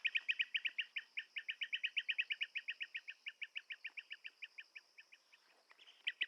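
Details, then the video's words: Long run of loud, rolling chirps from a blue-tailed bee-eater, very fast at first, gradually spacing out and fading, then two final strong notes after a short lull. "Tiếng chim Trảu đuôi xanh - Blue tailed Bee eater"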